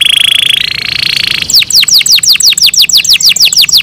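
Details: Captive canary's morning song: a level whistled trill that steps up in pitch into a buzzier roll, then a quick string of clear downward-sweeping notes.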